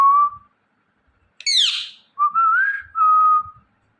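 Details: Indian ringneck parrot chirping and making natural sounds: clear whistled notes holding a steady pitch, one harsh descending squawk rich in overtones, then a rising whistle and a flat sustained whistle, in short bursts separated by silence.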